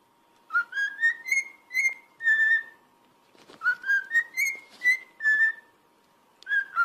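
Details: Pet cockatiel song for training: a whistled tune climbing in steps over a string of short notes, then holding and falling, repeated after a pause, over a faint steady hum.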